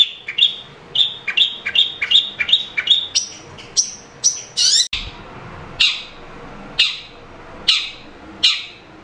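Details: Chattering 'gacor' song of a long-tailed shrike (cendet), played to make a reluctant caged bird start singing. A fast series of short repeated chirps comes first, then higher notes, then separate harsh chips spaced about half a second apart.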